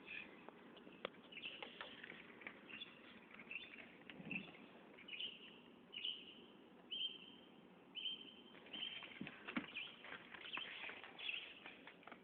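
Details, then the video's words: Northern mockingbird (xensontle) song, a varied stream of short chirps, trills and level whistled notes delivered in quick succession against steady background noise. "Xensontle bird singing."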